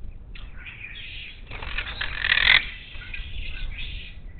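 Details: Wild monk parakeets at a Gulf Coast bird feeder near Houston, Texas, March 2021, giving a long harsh chattering squawk that swells loud near the middle, with a burst of wing flapping, then trailing raspy notes.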